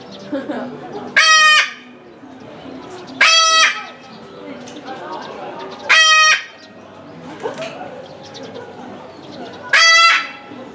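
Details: Sulphur-crested cockatoo calling repeatedly at a small zoo in Omiya Park, Japan, filmed December 2017: loud harsh raucous screeches about every two to three seconds, four in all, over background chatter and low noise.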